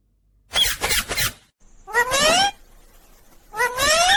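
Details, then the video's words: Indian ringneck parrot kept as a pet, sounding off in a mischievous mood: a rough noisy burst, then two rising, nasal, harmonic calls spaced about a second and a half apart. "funny Sound Indian Ringneck Parrot"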